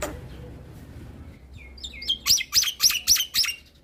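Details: Black-winged starling singing to provoke other starlings: soft quiet notes building to a quick run of five loud, high, down-swept whistled phrases repeated evenly about four per second.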